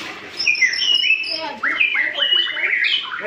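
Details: Young white-rumped shama just learning to sing, already singing actively: a varied stream of whistled phrases, high sweeping notes followed by a series of falling slurred whistles, with no other clear sounds.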